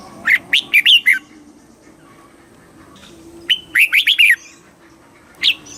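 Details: Southern master-style song of a red-whiskered bulbul from Thailand, kept caged and played to stimulate birds and teach young; two fast phrases of bright rolling notes, then a single closing chirp.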